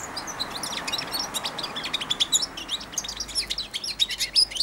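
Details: Four-month-old young European goldfinch kept in a cage, babbling its early subsong beside and on the hand that feeds it daily; a rapid stream of high twittering notes and short trills, quieter at first, then denser.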